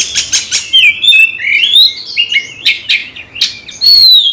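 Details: Agitated caged magpie-robin (kacer) provoked by a rival opens with rapid harsh rattling notes, then rising and falling whistles and short scratchy phrases, ending on a long clear whistle.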